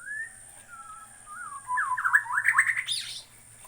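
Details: Shama from Borneo opens with a few smooth whistled slurs, then breaks into a rapid, loud burst of rising notes that ends in a harsh, scratchy flourish.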